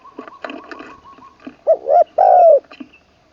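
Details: Decoy spotted dove in training, Isan, Thailand, third session, singing ขันลงกุกวัย with full middle note: one phrase of two hoots and a long descending coo, preceded by scattered clicks and soft chirps.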